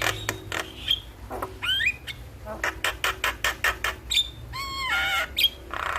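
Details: Starling song recorded in the morning as tutor material for singing birds: opens with scattered clicks and a sharp whistle, then a rising slurred note, a run of evenly spaced rattling clicks, and bubbling descending whistles near the end.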